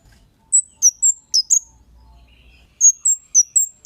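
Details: Lure recording of a Kemade. Two runs of four to five very high, clear chirps fall slightly in pitch, with a faint low hum in the quiet gap between them.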